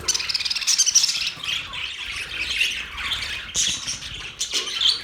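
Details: Flock of birds recorded on October 3, 2023, keeping up a busy stream of high chirps and scratchy squawks, with a quick run of rapid ticking notes early on and a few louder bursts later.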